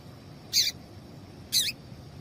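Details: Female double-collared seedeater call, played to warm up males for singing tournaments: two short, high, slightly descending chip notes about one second apart over a quiet background.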